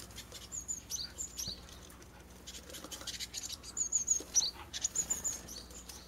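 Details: Japanese tit chicks leaving a nest box in a holly tree in a residential garden, parents attending; rapid high-pitched chirps and thin trills in two busy bursts, with soft rustling and patter throughout.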